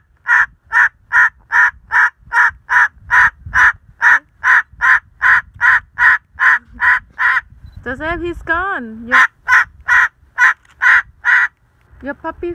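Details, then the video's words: A pet cockatoo barks at a dog, giving harsh, dog-like barks, about two or three a second in a steady run, broken once by a woman's voice talking. "cockatoo Barking"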